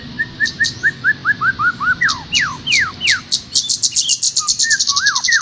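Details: Master song for training a caged trocok garuda: a series of short whistled notes rising in pitch, then longer steep downslurs, finishing in fast high chips with rising whistles.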